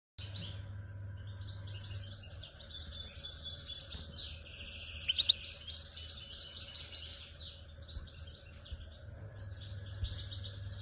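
A goldfinch sings a fast, sustained run of bright tinkling twitters and liquid trills, high-pitched and nearly unbroken, over a low steady hum.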